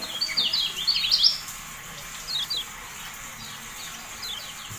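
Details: Javan white-eye (kecial kuning) on a bird-training tutor recording: a quick burst of high, thin, sliding chirps for about a second, then only faint scattered twitters over a low hiss.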